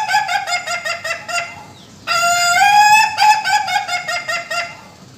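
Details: Ayam ketawa, the laughing chicken, crowing in the dursam style. Quick staccato laughing notes lead into a louder sustained phrase that rises slightly, then the clipped repeated notes return until the end.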